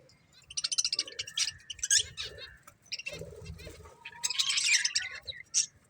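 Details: Budgie breeding pair twittering: rapid pulsed chirps and buzzy chatter, a soft pause, then a loud dense squeaky burst and a final sharp note.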